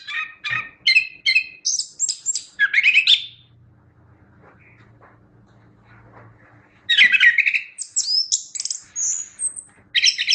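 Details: Chestnut-backed thrush in vigorous song. A series of repeated short warbled phrases leads into a nearly three-second silence, then a fresh burst of rich, varied whistles and squeaky notes.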